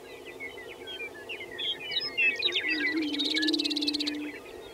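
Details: Prairie chickens lekking at Fort Pierre National Grasslands, South Dakota: a steady low moaning hum under quick scattered cackles and chirps, ending with a buzzy pulsed rattle from several birds.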